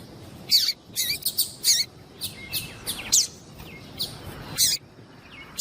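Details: Female double-collared seedeater calling to stir a male into song: sharp, high chirps in short irregular bursts, with some thin descending whistles between, over soft background hiss.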